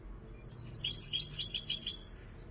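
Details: European goldfinch praised as a creative singer delivers one lively phrase of about fifteen quick, high, liquid twitters run together in a tinkling, slightly buzzy stream lasting under two seconds.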